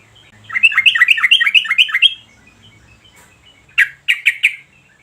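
A yellow-vented bulbul gives a quick run of about eight bright, bubbly notes, pauses, then adds four more sharp notes.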